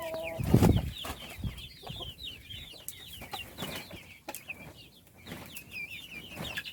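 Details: Little chickens peeping while being fed: a busy flock of chicks gives high, short, falling and rising chirps, repeated rapidly and overlapping, with a loud low thump near the start and scattered clicks.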